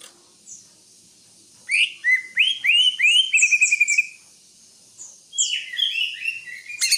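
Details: Greater green leafbird: a faint high note, then a series of rising whistled slurs that settle into a steady repeated whistle, followed by a second, softer phrase of quick chirps.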